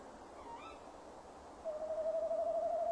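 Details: Male tawny owl calling by a nest box camera at 17:10 on 15 December 2015. A faint rising higher note comes early, then a long, steady, quavering hoot of even pitch runs to the end.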